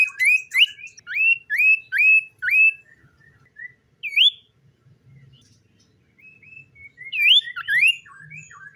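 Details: Morning song of a common iora: a run of five or six clear upslurred whistles about half a second apart, a short pause with single whistles, then a fresh burst of rising whistles and twitters.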